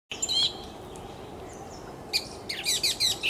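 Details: Orange-headed thrush giving loud, sweet, melodious song: a brief varied warble early on, then a burst of quick, high, jumbled whistled notes in the final second and a half, over steady low background hiss.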